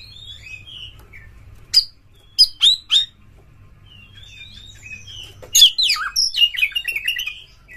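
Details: Oriental magpie-robin, called kacer, lure sound for caged birds in breeding mood; scattered soft whistles and a few sharp chips, then a dense, fast burst of high twittering and slurred notes toward the end.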